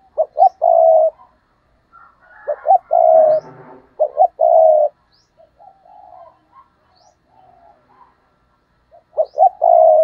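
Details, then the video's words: Decoy spotted dove pushing out 'gù cà lăm' stuttering coos to provoke wild rivals: loud phrases of clipped notes and a held coo, with softer quiet cooing between them and a faint low rumble once. "Gù Cà Lăm - Chim Cu Mồi Thúc Gù Kích Bổi Cực Nhạy"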